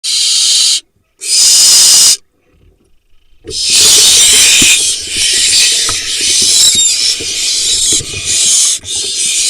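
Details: Barn owls in a nest box in the Hula Valley, Israel, on 18 July 2021, as the male delivers a vole to his four nestlings and struggles to leave the box. Harsh, breathy, drawn-out hisses come in long bursts separated by silences.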